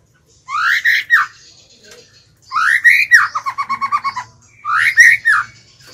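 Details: White-rumped shama singing as a lure bird to call wild birds in: three loud rising whistled phrases with buzzy overtones, the middle one running into a fast series of about ten clipped repeated notes.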